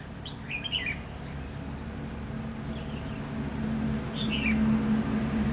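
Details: Red-whiskered bulbul, heard while being trapped late in the season with a decoy at Lương Sơn, Hòa Bình. A rapid twittering phrase opens the recording, softer chirps follow, and then a final warble. A low droning hum grows toward the end.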